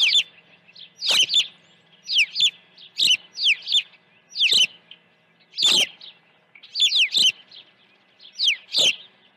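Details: An osprey calling at its nest on Dunrovin Ranch while being fed early on the morning of 1 June 2019: piercing downslurred chirps in doubled and tripled bursts, recurring about every half second to second.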